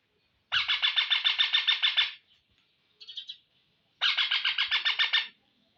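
Rose-ringed parakeet giving two loud bursts of harsh, rapidly pulsed squawks, each lasting over a second, with a brief quieter call between them.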